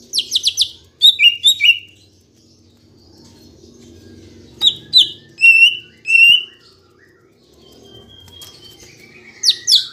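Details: Lure recording of green leafbird song to make caged birds sing: quick bursts of high sharp notes, then a run of clear downslurred whistles after a pause, with faint low background hum.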